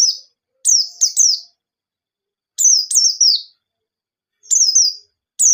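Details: High, insistent 'ngalas nembak' song from a white-eye, used as a lure for untrained white-eyes: bright downward-sliding whistles repeated two or three at a time, bursts separated by gaps of one to two seconds, clean quiet background.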